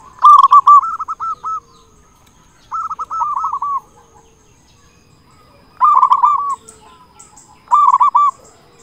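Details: Local zebra dove, a loud caged singer used as a lure for other zebra doves, giving bursts of rapid rolling coos near one pitch, each phrase about a second long, repeated with pauses of one to two seconds.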